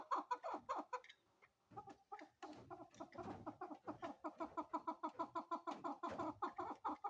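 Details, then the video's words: A female chukar partridge utters dense, harsh clucking notes, pausing briefly early on before settling into a fast, somewhat uneven series. "Female chakor voice||Female chakor sound|| Chukar voice"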